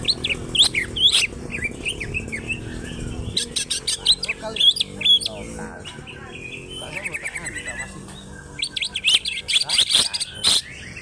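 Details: Greater green leafbird from Alas Purwo, Banyuwangi, a local-origin bird singing powerfully in 'trok bul' style with tail opened. Rich, varied phrases of high slurred whistles, rapid trills and sharp chips pour out almost continuously, with brief pauses in between.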